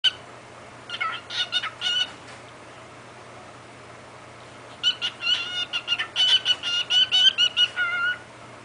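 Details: A male pet cockatiel talks to his mirror in an affectionate mood, chattering "he's just a little baby bird" in two bursts of bright, harmonic, speech-like syllables separated by a pause.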